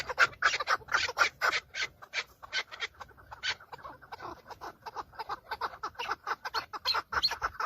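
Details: Several male Chukars, fighting and displaying to females in breeding season, filmed from inside a car, give harsh, clucking chuk notes in fast, uneven bursts, calling over one another in a rough chattering series.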